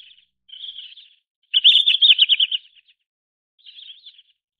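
Red-flanked bluetail giving high, thin twittering phrases: a soft trill, then a louder fast chatter of about a second, then another soft trill.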